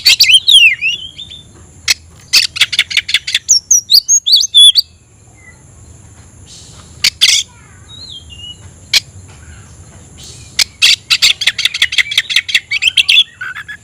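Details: Caged oriental magpie-robin in loud song meant to call a rival to fight: sweeping whistles, then fast trains of sharp clicking notes separated by short pauses, with a faint steady high hum behind.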